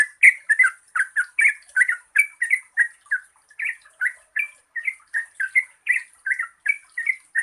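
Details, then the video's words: Yellow-vented bulbul singing, meant to prompt reluctant birds into song; a long run of quick bubbly, slightly throaty notes in pairs and triplets, repeated without pause, with a constant thin high hiss. "Pancingan Trucukan Gacor Ropel Panjang COCOK untuk BURUNG TRUCUK MALAS BUNYI"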